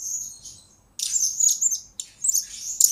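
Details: Blue-crowned hanging parrot lure bird, master song for training: a fading high note, then two bursts of shrill, very high twittering and squeaks.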